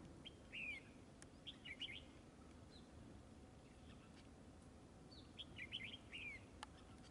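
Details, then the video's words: Bulbul song at a bulbul fighting trap, red-whiskered: repeated short, cheerful warbling phrases with slurred downward whistles, several bursts spread over the recording, plus occasional sharp clicks and low hum. "Bẫy chào mào ĐẤU XOÈ MAU MỎ HỌNG BÒ SIÊU TO KHỔNG LỒ"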